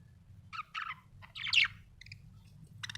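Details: A happy budgerigar chatters in short, scratchy bursts of high chirps and squawky notes, with one louder rasping chirp in the middle, over a faint low background hum.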